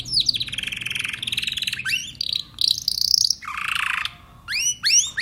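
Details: Timbrado canary delivering a rolling trill, a higher buzzy phrase and a lower rasping passage, finishing with loud upward-curving chirps; a faint low hum sits underneath.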